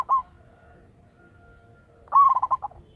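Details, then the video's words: Decoy local zebra dove calling loudly. The tail of one coo is followed by a full rolling coo: a rising note that breaks into a quick series of pulsed notes and then fades. A faint steady tone is heard between the two. "Perkutut lokal gacor suara besar - BIANG PEMIKAT"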